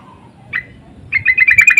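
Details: Sooty-headed bulbul lure calls answering one another, insistent: one short note, then after a pause a rapid run of about seven squawky chattering notes.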